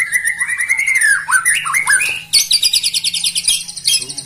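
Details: Rival-provoking song of the white-rumped shama: a long, wavering whistled phrase with dips and slurs, then a rapid, high, buzzy rattling trill.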